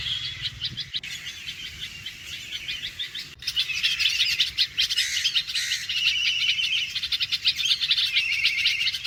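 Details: Red-vented bulbul alarm call: harsh, rapid chattering, bursts of scratchy chirps around two to four per second, loud and insistent, with faint low background rumble; such alarms are usually heeded by many other bird species.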